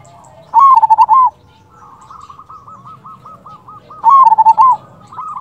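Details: Local zebra dove voice used as a lure to draw answers from other doves: two loud stuttering coo phrases about 3.5 seconds apart, separated by a soft series of repeated coos.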